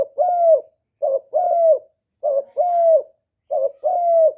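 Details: Spotted dove coos used to stir males into calling: mellow, low, two-part phrases, a brief coo followed by a longer smooth one, repeated steadily about every second with nothing else heard.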